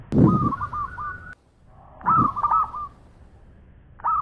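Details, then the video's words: Local zebra dove in full, persistent song with long phrases: rolling, slightly burry coos near one pitch, a first phrase of quick throbbing notes, then a louder repeated cooing phrase, with brief low thumps and soft background noise. "Bunyi Perkutut Lokal Gacor Suara Panjang Juara"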